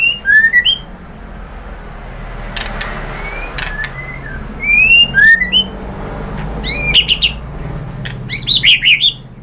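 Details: White-rumped shama singing to stir other birds to answer: scattered clear whistled slurs and short phrases separated by gaps, ending in a burst of bright, quickly repeated notes over faint background hum.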